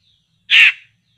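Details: One short, loud, scratchy caw-like burst from a laughingthrush (poksay) being lured for trapping, set against near silence.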